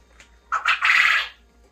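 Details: Caged Japanese coturnix quail kept for egg production, housed in a three-tier cage indoors: one short, harsh burst in three quick parts, the last part longer and buzzy, over near silence.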